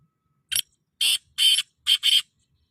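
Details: Black francolin (kala teetar) giving a harsh, grating call of five rasping notes: a short first note, a pause, then two longer broad scratchy notes and a closing quick double note, with silence around them.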